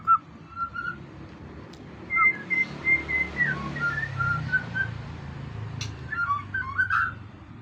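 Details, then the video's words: Competition-grade white-rumped shama singing a series of clear, thin whistled notes, some level and some dipping, over a steady low hum. "murai prestasi"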